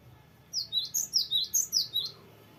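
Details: Cinereous tit (gelatik batu) singing a long, varied "ngeroll" roll: a quick string of about eight sharp, high two-note whistled phrases, each dropping in pitch, over a faint low hum.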